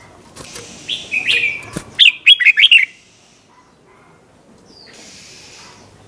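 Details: Red-whiskered bulbul, 'bernl' doubled song for teaching young birds: slurred whistles lead into a fast run of five liquid notes, then a long quiet gap with a faint hiss.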